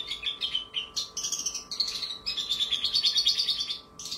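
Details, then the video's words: Javan bush lark, a singing contest-training bird, delivers a rapid run of high, sharp, clear chirps and trilled phrases, continuous for about four seconds, with imitated sparrow calls and long lovebird-like chattering phrases. "MASTERAN BRANJANGAN NEMBAK ISIAN GEREJA DAN LOVEBIRD NGEKEK PANJANG VOKAL JERNIH, TAJAM, KRISTAL"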